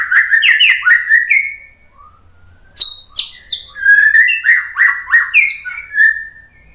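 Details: White-rumped shama pouring out a provoking song for another bird to answer: rich whistled phrases, each note sliding downward, repeated in quick series with short breaks, one higher burst in the middle, close and clean.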